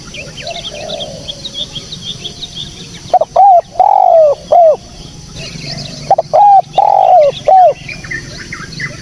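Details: Spotted dove giving its call in a clean recording for luring: quiet start with faint chirping, then two loud phrases of short coos around a longer descending croon.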